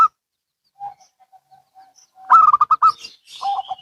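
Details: Zebra doves, local and Bangkok types, answering each other: faint soft coos, then a loud rapid run of six clipped, bubbling coo notes, followed by a lower, softer stuttered reply.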